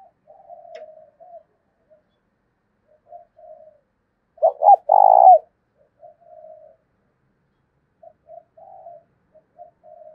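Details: Spotted dove used as a lure, calling to draw out wild doves. Soft, low, breathy coos are scattered around one loud phrase in the middle: two abrupt hoots, then a sustained purring coo.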